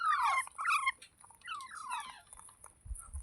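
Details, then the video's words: Parrot giving a series of quick downward-sliding whistled calls with harsh harmonic edges, then softer chattering notes, and a couple of low thumps near the end; indoor setting. "मिट्ठू की आवाज़ | तोते की आवाज़"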